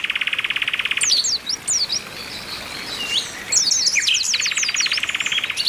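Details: Several Oriental white-eyes, including a female calling to stimulate males: fast, buzzy, mechanical trills at the start and near the end, separated by high, sharp, downslurred chirps.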